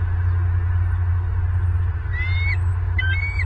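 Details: Bald eagle at a nest-cam site in Southwest Florida, 24 November 2022: a pair of shrill, whistled, upward-sweeping notes late in the clip, partly buried under loud, continuous low-pitched rumbling.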